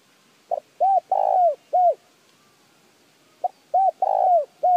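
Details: [6, 'Mellow cooing of a spotted dove, used to stimulate other birds to call. Two phrases about three seconds apart each run: a brief lead note, a coo, a long downward-curving coo, then another coo.']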